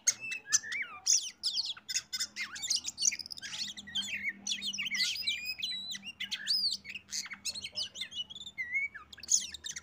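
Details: Oriental magpie-robin singing as a lure to make other birds join in: a continuous, energetic stream of high chirps, trills and looping whistles with a faint low hum underneath.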